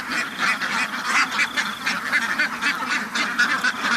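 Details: Farm ducks utter loud, separate honking quacks in quick bursts, the chorus rising and falling several times a second.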